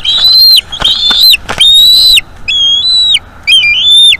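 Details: Bald eagle chick calling loudly at a North East Florida nest as its mother feeds it: five high, strained whistles that hold steady and drop, mixed with a few sharp clicks and knocks near the start.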